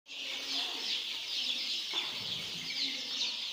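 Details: Many young chicks on a poultry farm peeping together, a dense, continuous high-pitched chorus of overlapping shrill cheeps with no pauses, steady in loudness throughout.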